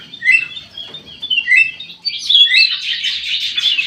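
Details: Active singer in an aviary, a white-eyed golden bulbul. A few clear descending whistles give way to a continuous rapid chattering warble.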